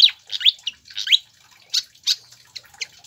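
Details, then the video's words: Pied fantail song intended to stimulate captive birds: upslurred whistled notes in quick pairs, then spaced, sharp high chips about every third of a second. "PANCINGAN DAN MASTERAN SIKATAN KIPAS AGAR CEPAT GACOR"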